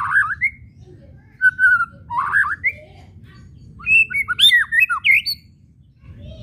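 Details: Provoking whistles of a white-rumped shama with chattering kretekan: short rising warbles and a level whistle early, then a dense run of looping whistled notes with clicks, over a quiet background rumble.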